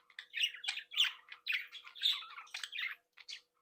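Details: Captive breeding budgerigars chattering happily: a tight sequence of loud squawky warbles and chirps, about two notes a second, fading into a few short chirps before ending.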